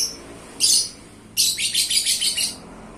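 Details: Pet lovebird called a champion, a paskun bird and gacor, gives one shrill high chirp, then a fast run of about six buzzy, high notes lasting about a second.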